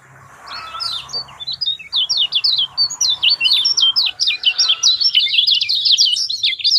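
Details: Lemon-bellied white-eye lure song for prompting a mute bird to sing: a faint start, then a long, lively stream of sharp, high chirping notes that grows louder and more rapid toward the end.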